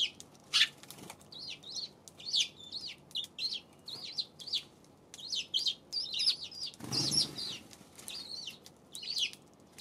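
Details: Eurasian tree sparrows recorded on February 7, giving a steady stream of short, bright chirps and cheeps in bursts every half second or so, several birds overlapping, with a brief rustling thump in the middle.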